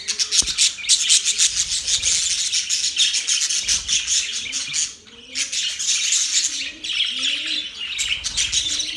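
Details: Budgerigars keep up loud, dense, high-pitched chirping and warbling, broken by one short lull, with soft low rising calls faintly audible beneath.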